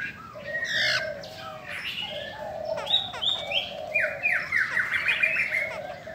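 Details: Female Chinese hwamei calling to stir up males, giving loud slurred whistles and downward-sliding notes in quick bursts, with a continuous lower warble and other chirps beneath.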